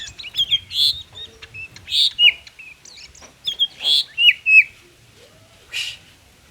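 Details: Oriental magpie-robin in 'konslet' style song, used as a lure to prompt reluctant magpie-robins to sing: loud clear whistled phrases with sliding, dipping notes, given in short bursts separated by brief pauses.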